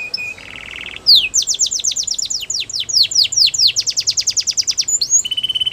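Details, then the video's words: Canary singing a song for training young birds: a short low note and buzzy roll, then a long run of quick, loud down-slurred whistles, finishing on a low steady trill. "Canaries Singing !! The Best Canary Training Song"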